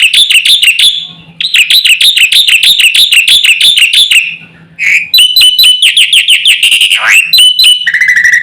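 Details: Black-winged myna in vigorous song used to provoke other mynas, long runs of rapid ringing whistled notes about three per second, broken by short pauses, ending in a steady high whistle.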